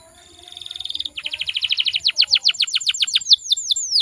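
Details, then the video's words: Female canary used to provoke males into song: a soft, high buzzy trill swells in volume, shifts into rapid repeated notes, then sharper downslurred whistles at about five per second. "PANCINGAN KENARI BAHAN PALING AMPUH BIKIN GACORR"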